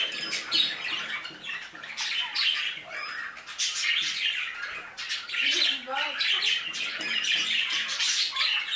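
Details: Many budgerigars calling in an aviary: busy, harsh chattering and squeaky chirps form a steady wall of sound, with a few lower warbling notes underneath and occasional sharp clicks.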